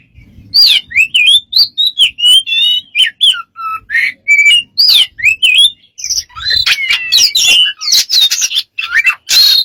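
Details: A bird producing a long run of strange, varied sounds: looping whistled notes that rise and fall, sharp clicks and rattles, then harsher buzzy bursts toward the end, delivered almost without pause.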